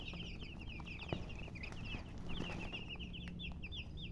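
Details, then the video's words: Coloured chicks give dense, rapid high-pitched cheeps, many overlapping short peeps with little pause, backed by a steady low hum and occasional clicks. "silly chicken chirping sounds with murgi hen color chicken. Chicken Sounds"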